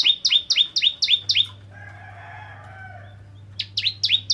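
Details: Bar-winged prinia (ciblek kristal) in song used to stir other prinias: quick series of high, downward-sliding double notes, a pause filled by a soft lower warble, then the series resumes.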